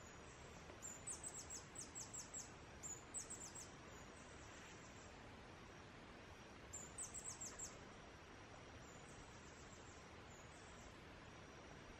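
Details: Male Blue-throated Goldentail singing in Guatemala's foothills, giving runs of rapid, very high, sharp squeaky notes in three clusters, then a faint fourth phrase, against constant broadband hiss.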